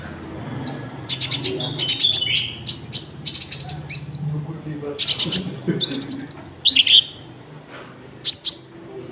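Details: Common Iora singing, with cricket-sound fill-ins, a lure and training recording for caged birds; high whistles and clusters of quick buzzy rattles repeated in short bursts, then a quiet gap and a final phrase.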